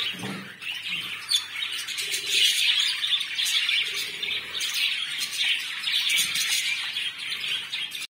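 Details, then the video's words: Pet budgerigars chirping together; a dense, continuous chatter of high squawks, chirps and tweets from several birds, loud and unbroken throughout. "Budgies Sound"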